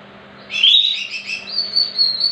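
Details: Greater green leafbird song used as a lure to make other leafbirds sing: after half a second of quiet, a loud run of high, squeaky, rapidly warbled notes, then a thin sustained high whistle with wavering pulses, over a faint low hum.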